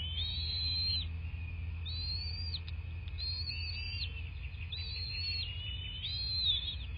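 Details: At a southwest Florida nest, a bald eagle recorded by nest camera on a February 2024 morning gives thin, high whistles in arching phrases, several in succession, with a constant low background hum.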